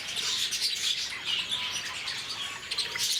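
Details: Lovebirds at Bannerghatta Zoo in Bangalore, a busy overlapping chatter of high, sharp chirps and squeaky twitters running without pause through the whole stretch.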